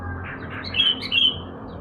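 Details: Yellow-vented bulbul out in the morning sun as a kept bird, delivering two loud clear whistled notes in quick succession, with a soft low hum beneath.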